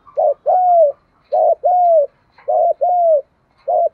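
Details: Spotted dove used as a decoy for trapping repeats its 'giọng thổ' cooing about every 1.2 seconds: four phrases, each a clipped double note running into a longer, arched, low coo.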